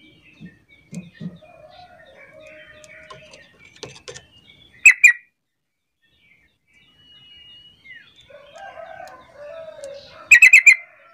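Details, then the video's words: Sooty-headed bulbul lure call, played to make other reluctant bulbuls start calling and answer back. Two bursts of three to four loud, sharp, clipped notes. Softer warbled and chattering bird notes and a few low thuds fill the spaces between them. "Panggilan trucuk terampuh jadikan trucukan lain ikut bunyi"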